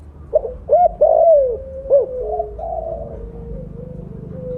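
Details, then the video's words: Loud-voiced, actively calling spotted dove of the mottled blorok form, a lure call: short, sharply arched coos at the start, then a long, drawn-out falling coo that fades into softer, level humming notes. "Terukur blorok gacor suara besar cocok untuk pancingan bunyi."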